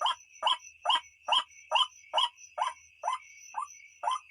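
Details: Night lure recording of a white-breasted waterhen: rhythmic series of coarse, croaking 'ruak' notes, evenly spaced at a little over two per second, with a steady shrill hum behind them.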